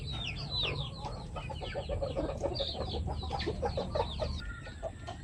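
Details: Pet chickens, a flock including new members, calling together: a dense mix of short mid-pitched clucks and many high, rapid chirping notes overlapping throughout, with a steady low background hum.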